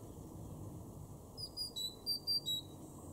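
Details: A great tit in a garden in Weener, East Frisia, northwest Germany, in April 2021 gives about five short, thin, high notes in a quick one-second run over a low background rumble.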